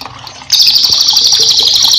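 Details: Cililin, recorded as a master song for training cage birds, bursts into a loud, fast, buzzy high trill after a brief quiet moment, over faint trickling water.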